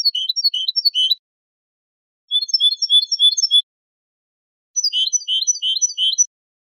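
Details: Three bursts of European goldfinch song in the mecidas style, each a rapid rhythmic run of clear, high twittering notes about a second long, with silences between phrases.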